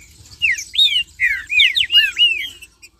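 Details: Captive Green-winged Saltator (trinca-ferro) singing, used to rouse other kept saltators: a fast run of clear, slurred whistles, each swooping up or down, packed closely in a lively, varied phrase.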